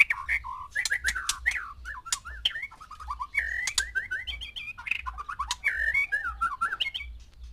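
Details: Varied whistled song of a male white-rumped shama housed with six females to prompt breeding: rising and falling clear notes mixed with sharp clicks and short rattles, continuous throughout, with a soft low thudding beneath.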